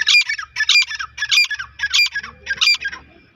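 A grey francolin gives five loud, harsh, squawking phrases, about two each second, high-pitched and grating, with faint low thuds underneath.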